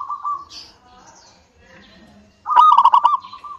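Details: Local zebra dove song meant to prompt other doves into singing: after soft, fading coos, a sudden loud burst of quick pulsed, bubbling notes falls into a sustained mellow tone, with faint chirping behind it.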